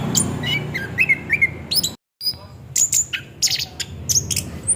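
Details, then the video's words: Orange-headed thrush performing 'ngerol' rolling song as a singing lure: mid-high whistled phrases and brisk chips, a sudden short silence, then sharp high notes and quick slurs continuing over a low hum. "Pancingan bunyi nada Anis kembang ngeroll"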